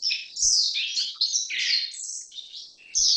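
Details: A Black-faced Bunting (Emberiza spodocephala) gives high, thin twittering: quick, varied chirps and short trills that run almost without a break, with two faint low knocks.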